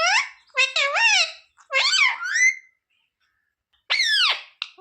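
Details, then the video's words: Talking pet parrot asking for roti and saying mummy; shrill, nasal speech-like phrases rise and fall in pitch, then a pause before one more sharp, squealing word. "Parrot talking mummy mithu ko roti do"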